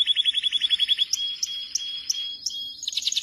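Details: Canary in song with a quick, high, evenly pulsed trill, followed by a steady whistled tone punctuated by sharp high notes, and a brief, loud, rapid rattle at the close.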